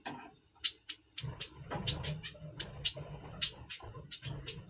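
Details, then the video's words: Red siskin of the double pastel colour form, recorded in November 2023 before breeding, in breeding mood; a rapid series of short, high, sharp chips and brief twittering notes, some clipped and some slurred, over a low background rumble. "Red Siskin 🦩Double Pastell 🔥FeuerZeisig before Breeding - Voice Brutstimmung"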